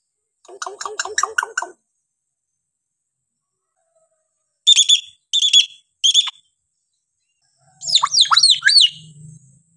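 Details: Hill myna in a mix of varied calls: a quick run of buzzy repeated notes, three short sharp loud bursts, then slurred whistled notes that dip and rise over a faint low hum.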